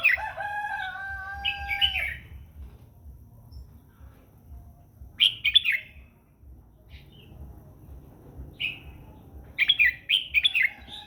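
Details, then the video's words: Morning song of a red-whiskered bulbul practising its voice and goading other birds into singing: short bright chirruping phrases in bursts several seconds apart, with a lower, drawn-out harmonic call at the start and quiet gaps between. "chào mào mũ hót gọi bổi luyện giọng buổi sáng kích chim hót căng lửa"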